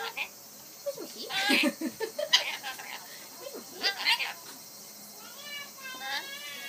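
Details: Talking rainbow lorikeet imitating the Japanese 'inai inai baa' (peekaboo): harsh, raspy bursts mixed with voice-like syllables over about four seconds, ending in a softer run of wavering tonal notes.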